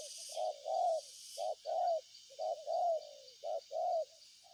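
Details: Spotted dove repeating soft short-long coo pairs, four phrases in under five seconds, against a continuous high insect whine.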